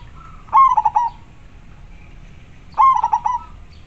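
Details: A local zebra dove sings steadily with a clear tone, giving two identical cooing phrases about two seconds apart. Each opens with a sustained note and breaks into three rapid burbling pulses that fade away, with little background noise.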